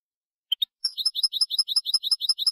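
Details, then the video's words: Goldfinch song for tutoring young birds in the Málaga style: two short chirps, then a fast, evenly repeated series of bright high notes, about six per second. "Nuevo CD malagueño para educar jilgueros EL TENOR DE MALAGA 2022/2023"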